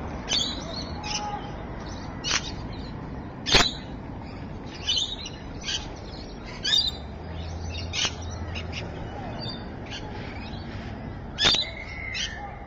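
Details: Rainbow lorikeet at Evans Head, afternoon of 26 May 2012: rasping, screeching calls given in irregular short bursts roughly every second or two, with one louder sharp shriek and a low background hum.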